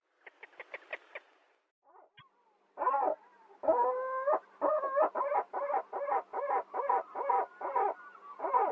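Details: Gulls: a few quick faint notes, then a long rapid series of loud, nasal, harmonic yelping calls, several per second, continuing steadily for about six seconds.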